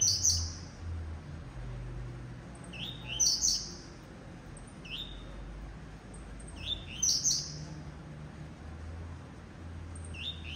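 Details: Blue-black grassquit in captivity singing coleiro tuí-tuí phrases: a few short high chips leading into an explosive buzzy note, about three phrases spaced several seconds apart, faint low hum behind.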